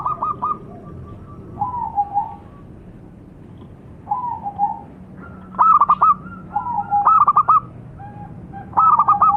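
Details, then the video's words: Local perkutut (zebra dove) singing several staccato cooing phrases, some lower and softer, others louder four-note bursts with trailing notes, spaced irregularly over a low background rumble. "Suara Burung - Perkutut Lokal"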